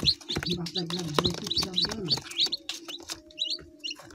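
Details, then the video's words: Chicken chicks peeping in thin, high, upturned notes, overlapping with a low, throaty, voice-like murmur during the first half, then sparser peeps over a constant low hum. "Beautifull hen child । Hen child sound effect"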